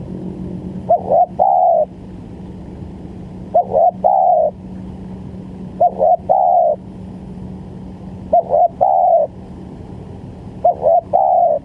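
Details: Repeated spotted dove cooing for a trapping lure: five phrases about every two and a half seconds, each a couple of short stuttered notes ending in a longer falling coo, over a steady hum.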